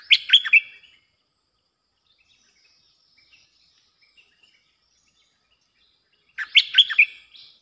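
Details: Lure recording of a bulbul singing. Two bright, gurgling phrases of fast, jumpy notes come about six seconds apart, separated by near silence with faint twittering.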